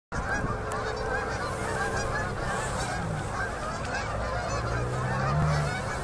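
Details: Endless flocks of fall-migrating Canada geese fly in to land on a river at sunset in Manitoba, Canada, in October 2018; a dense, continuous chorus of overlapping nasal honks over a steady low rumble.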